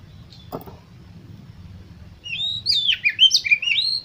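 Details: Oriental magpie-robin song used to stir contest birds into singing: two seconds of low hum and a soft knock, then a loud run of clear whistled notes that rise and dip rapidly.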